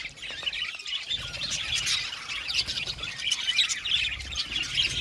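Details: Budgerigar flock in a colony aviary, steady high-pitched chattering with scratchy warbles and occasional louder chirps over a low background hum.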